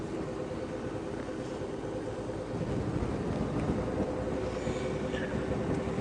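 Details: Steady low engine rumble from a moving safari vehicle at sunrise, with broadband driving noise throughout and no clear animal voice.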